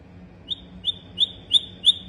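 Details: Sikatan londo flycatcher giving five sharp, high, clipped notes spaced evenly about a third of a second apart, each a bright ringing tweet over a quiet background.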